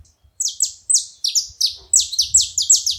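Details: Saffron finch on a feeder, giving a run of sharp, high, downslurred chips repeated about three times a second, growing denser toward the end, with faint low rumble beneath.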